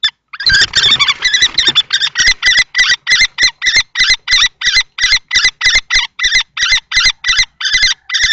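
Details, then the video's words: During a long confrontation between two male common kestrels at a nest box in Théding, France, on 20 March 2024, loud scuffling opens into a steady string of piercing, repeated calls, about three notes a second. "Bagarre entre 2 mâles"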